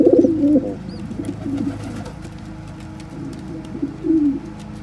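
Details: Pigeon parent feeding crop milk to a helpless baby; a loud burst of low, throaty cooing at the start, then quieter murmuring and a final rising-falling coo near the end, indoors-sounding.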